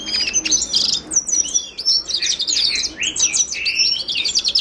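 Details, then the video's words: A Himalayan goldfinch (Carduelis caniceps) pours out a bright, tumbling song of high twitters, slurred whistles and buzzy notes with barely any pause. "تغريد حسون الهيمالايا chant de chardonneret hymalaya"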